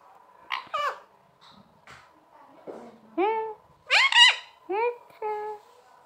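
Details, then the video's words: Talking parrot produces a string of separate voice-like syllables, some short and clipped, others longer with sliding harmonic tones, rising and falling like attempted words, spaced roughly half a second to a second apart. "Parrot Sound Talking Parrot Bolne wala totha"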